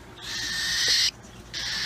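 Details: Hand-fed baby cockatiel at a pet store rasping loudly during feeding: a long, raw, hissy burst that swells for nearly a second, breaks off, then starts again.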